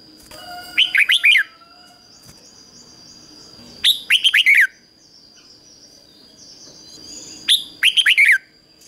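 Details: Red-whiskered bulbul trained as a decoy, calling wild bulbuls in; three vigorous phrases of quick, ringing whistled notes spaced about three seconds apart, with soft warbling and a steady faint tone in between.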